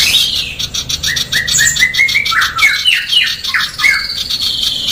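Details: Fast, dense, harsh song of a female sooty-headed bulbul: a chain of quick upward-slurred chirps, some dropping sharply, over a steady background of rapid scratchy pulses.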